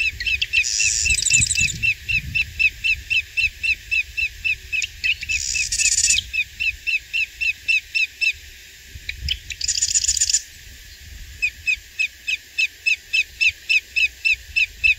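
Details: A Greater Yellowlegs at Coquille Valley Wildlife Area, Coos County, Oregon, on 23 April 2021 gives a steady string of sharp, ringing whistled notes, about four per second, broken by a few brief bursts of hissing noise.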